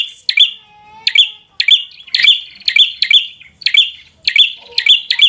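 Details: To goad a rival bird into fighting, a bar-winged prinia delivers chatty 'gacor' song: shrill, evenly pitched chirps repeated about twice a second, each with a buzzy edge.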